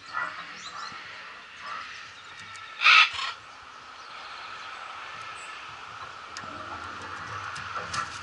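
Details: Macaws at Emperor Valley Zoo in Trinidad on a holiday: one loud, harsh, raspy squawk just under half a second long about three seconds in, over a steady background hum with faint scattered calls.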